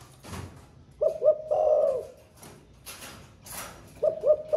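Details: A caged spotted dove, recently started cooing and heard all day, sings in the 'thổ pha' style: one full phrase of two clipped hoots and a long rolling coo, scattered clicks, then the next phrase begins.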